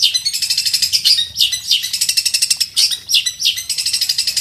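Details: Long-tailed shrike (centet) kept as a fighting bird, singing a full masteran song to challenge rivals: a dense, rapid, high-pitched stream of chattering and twittering notes with short sweeping whistles, nearly continuous.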